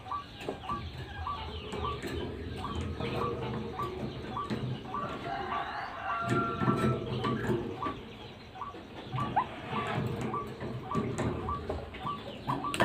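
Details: White-breasted waterhen (ruak-ruak) lure recording: short upward-hooked notes repeated steadily through the clip, over a low rumbling background and scattered clicks.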